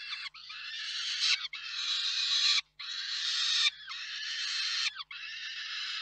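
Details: Peregrine falcons at a nest in Reda, Poland, on 4 May 2023, as the male brings food and the female feeds it: long, harsh, grating screams, nearly continuous with brief breaks about every second.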